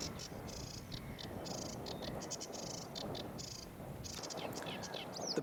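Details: A sedge warbler, on a tidal mud creek near Faversham, Kent, on a chilly, mostly overcast late-April afternoon, gives fast chattering song of high, scratchy bursts in quick succession, over wind rumble and handling noise; walker suspects a territorial or mating call.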